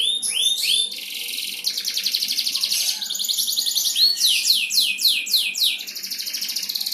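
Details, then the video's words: Canary champion delivering its bait song to coax other canaries into singing; upward-swept whistles open into long rattling high trills, followed by a series of falling swept notes and another fast roll. "pancingan kenari jawara GACOR! COCOK buat memancing burung KENARI ANDA"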